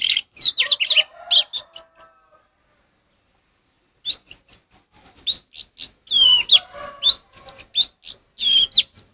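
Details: Captive-training recording of orange-headed thrush singing: long, dense phrases of bright whistles, rapid chips and mimicked-sounding notes, pausing once for about two seconds before a longer, fuller burst.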